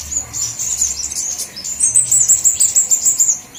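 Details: Lure call for all flowerpecker species: a continuous stream of very high, thin chips, then a fast trilled run of sharp notes, with a low hum beneath.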